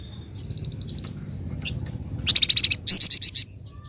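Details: A singing flamboyan: a soft, evenly spaced string of thin high notes, a brief squeak, then two loud, fast rattling trills of rapid buzzy notes in the 'ngebren rapat' style.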